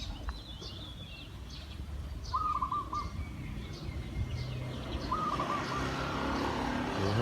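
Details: Zebra dove used as a trained decoy to lure wild doves. It gives two trilled, bubbling coo phrases at a mid pitch, about three seconds apart. Faint chirps from other birds and steady rural background noise are also heard.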